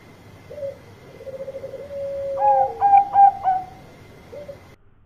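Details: Loud calling song of a Bangkok-type zebra dove seeking companions: a brief note, a trembling purr, then several sharp bell-like notes, closing with a short soft note before silence.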